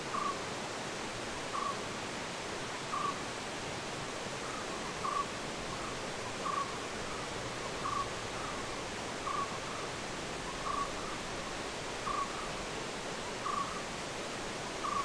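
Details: Barbet calling in the background in a Munnar forest in South India while a Malabar giant squirrel feeds in the trees: a short, hollow mid-pitched note repeated about every second and a half under steady hiss.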